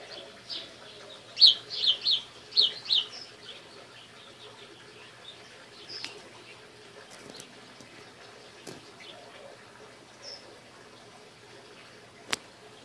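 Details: Pet parakeet, a female, indoors playing with a new toy; a quick burst of bright, high chirps near the start, then scattered faint clicks and taps from the toy, ending with a sharp click.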